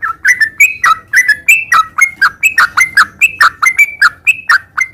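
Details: Sooty-headed bulbul in gacor ngeropel song: a brisk series of mellow, bubbly notes, each a quick up-and-down slur, repeated about three times a second with no other noise.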